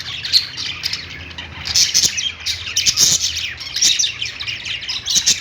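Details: Several parakeets on a perch inside a pet store, chirping nonstop in a busy high-pitched twitter, with brighter bursts of shrill notes every second or so over a quiet low background hum.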